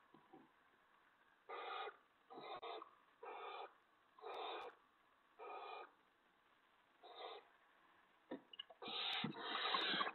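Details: Barn owl owlet at the nest before dawn on April 6, 2017, at 5:01 AM, as an adult brings in a vole that the owlet swallows backwards: harsh, breathy hissing screeches of about half a second, repeated at irregular one-second gaps, with a louder rasping burst at the end.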